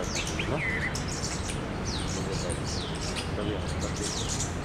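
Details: Rosy starlings, also called rosy pastors, in Delhi in spring during their migration north: a busy chatter of sharp, high, squeaky notes, many sliding downward, overlapping continuously above a steady low background rumble.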